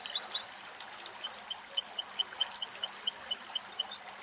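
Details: Adult male European goldfinch perched in a small cypress in wild Greek countryside, strong wind in the area: a brief high twitter, then a long, fast run of bright, liquid, evenly pulsed notes.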